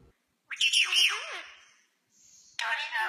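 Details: Rose-ringed parakeets calling back and forth in conversation: a harsh, scratchy squawk sliding into a buzzy descending note, a short pause with a thin high tone, then another burst of rough chatter.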